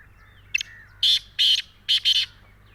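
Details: Black francolin (Kala Teeter) in Sindh, Pakistan, gives a grating call of four loud, harsh, rasping notes, the last two close together, over a low steady hum.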